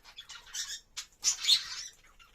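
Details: Budgerigar calling during mating: bursts of harsh, buzzy squawks and scratchy chirps, loudest in a rough flurry midway, with brief pauses between bursts, heard indoors.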